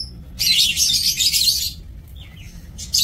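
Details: Lovebirds kept for breeding in an aviary, giving a dense burst of harsh, high, buzzy chattering that lasts about a second and a half, then a few thin shrill squeaks after a quiet gap.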